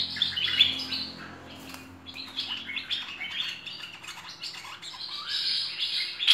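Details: Continuous busy warbling from a Cream-vented Bulbul (merbah lekir) in full-fill tutor song, with quick slurred chirps and trills running without pause over a low steady hum.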